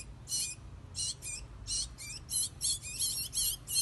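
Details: Chestnut-bellied seed finch singing: a fast run of short, bright, high notes in quick bursts, roughly one to two per second, some clustered close together, over a low background hum.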